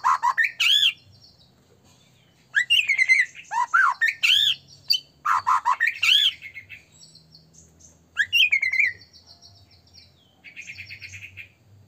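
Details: White-rumped shama singing energetically as a trigger to make other shamas sing and become agitated: loud bursts of arched, slurred whistles and harsh notes separated by short silences, ending with a softer buzzy trill.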